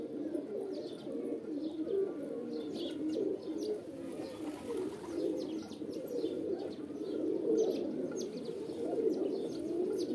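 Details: Pigeons in mating call: a thick, continuous bed of low, throaty coos rising and falling in strength, with frequent high chirps of small birds scattered over it.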